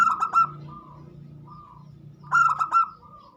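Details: Local zebra dove singing as a lure song to make other birds sing along: two bursts of quick staccato cooing notes, one at the start and one after about two seconds, over a low steady hum.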